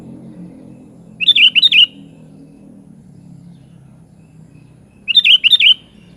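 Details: Kutilang, the sooty-headed bulbul, in vigorous 'gacor' song: a short phrase of three or four bright, bouncing whistled notes, repeated once about four seconds later, over a continuous low droning hum.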